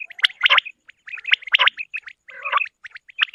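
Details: Female quail (batair) calling, a sound tied to quail hunting: clusters of rasping, chattering notes alternate with brief thin tonal pips in an irregular, roughly once-per-second rhythm.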